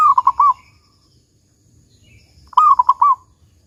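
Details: Local zebra dove in big "kung" voice, a lure recording to prompt singing: the tail of one phrase opens, then a full phrase follows some two and a half seconds later, a long coo tumbling into three quick soft notes.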